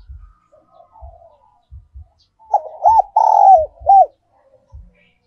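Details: Giọng còi spotted dove decoy song, also known as giọng kim. Quiet murmured coos and spaced low thuds come first, then one loud phrase of arched, long falling and arched coos.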